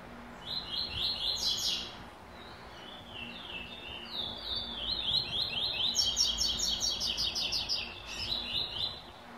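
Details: A white-throated seedeater delivers its classic tuí tuí zel zel song with the third note: loud buzzy trills, a pause, softer whistled slurs, then a long stretch of rapid chattering repeated notes high in pitch.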